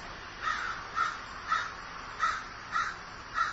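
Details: Repeated hoarse cawing from a crow described as grieving: six calls at a steady pace of about one every half second.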